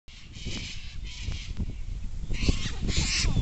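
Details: A large flock of sulphur-crested cockatoos in Sydney's Royal Botanic Gardens gives harsh, raspy screeches, with two loud bursts near the end, over a steady low rumble of background noise.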